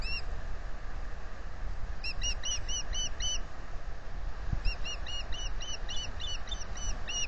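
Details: Recorded by a nest camera microphone at Salt Point, April 2020, an osprey offering to incubate gives two bursts of rapid, piping, arched chirps, the second longer and steadier, above a low continuous rumble.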